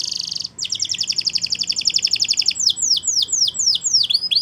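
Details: Waterslager canary singing a training phrase: short trill, a two-second bubbling rolled trill, then evenly spaced descending whistled notes with hooked ends.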